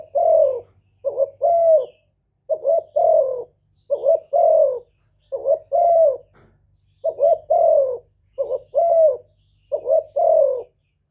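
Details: Provoking call of a spotted dove: a long run of paired phrases. A clipped, wobbling note leads into a fuller, slightly descending coo, about ten times in steady rhythm, over a faint low drone.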